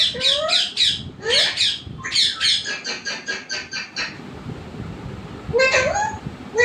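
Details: Household parrot making harsh upward-sliding squawks, then a fast even series of about seven clipped raspy notes, a pause, and more rising squawky calls near the end.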